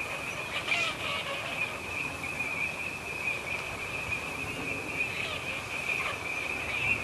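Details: Wintering flock of Eurasian teal at EVOA, winter 2012/13. Many short, piping whistles pour out together in a constant high chorus, with a few louder individual calls rising briefly over the crowd.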